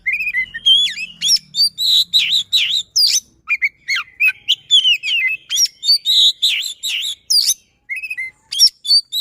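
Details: Kept white-rumped shama in full song, pouring out a rapid, almost continuous stream of whistled slurs and harsh buzzy notes, the bursts following each other with barely a break.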